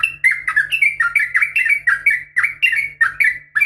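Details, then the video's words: Female sooty-headed bulbul calling a male in a fighting style; a rapid string of bubbly notes that slide downward, repeated about every quarter second, over a faint low hum. "trucukan gacor SUARA NGGARUDA TARUNG ROPEL"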